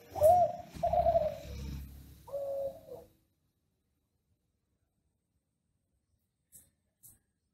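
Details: Kelantan-style ringneck dove, an Indonesian breeder's master bird for prompting doves to sing: three rounded coos with background rumble over the first three seconds, then near silence broken by two faint clicks.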